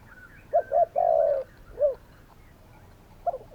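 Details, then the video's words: Spotted doves calling: two short coos and a long drawn coo, one more coo, then quieter faint notes, with light chirps in the background. "Spotted doves calling!"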